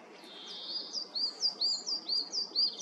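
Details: European greenfinches calling early in the morning at a forest feeder on 29 March 2023, with bullfinches present and hooded crows also heard: bright, high chirping notes about twice a second in a quick twittering series, over faint hiss.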